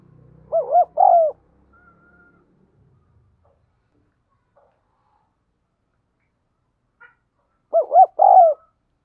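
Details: Spotted dove kept as a lure bird, giving the thúc gù gáy gọi calling style: two loud, clean bursts of mellow hooting coos, each a quick stuttered note and a longer falling coo, separated by about six seconds of silence.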